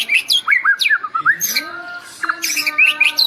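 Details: White-rumped shama from Medan singing a varied, rapid song of sweeping whistled notes, slurred upward and downward phrases and sharp chirps, with a faint steady low tone underneath.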